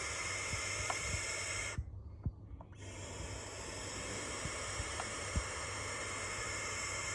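Barn owl giving a harsh, hissing scream that runs on steadily, broken by one brief pause, with a few soft knocks in the background.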